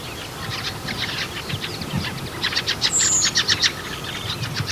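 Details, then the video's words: A fieldfare, a winter visitor to the UK countryside in late autumn, gives harsh, rattling "chack" notes, about four a second, in a rapid, repetitive, noisy stream; a brief thin, high whistle cuts in midway. "The fieldfare, its call is more like a chack, chack, chack, chack, chack. It's very noisy, very repetitive, and quite a quick call. And here it is now."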